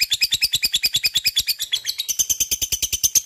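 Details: Lovebird singing a long, rapid chattering song played to prompt other lovebirds to sing: high, sharp chirps repeated steadily about six times a second, with the pitch stepping up partway through and no other sounds.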